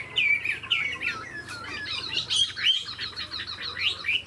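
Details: Tame Chinese hwamei kept in a cage, tail fanned while showing off its wings; varied run of swooping whistles and quick looping notes, getting choppier and more rapid toward the end.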